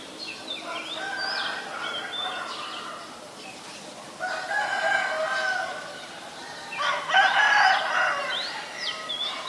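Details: Harsh, nasal chattering bursts of a white-vented myna in Ubon Ratchathani, Thailand, 8 March 2022, arriving in three loud groups with brief squeaky notes between them.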